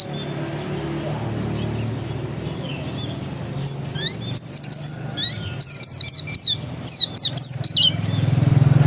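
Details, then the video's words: After a few quiet seconds of low hum, a dakun-type Oriental white-eye, described as still original, launches into a quick run of high, sharply falling chirps repeated about twice per second. "Suara burung pleci dakun masih asli"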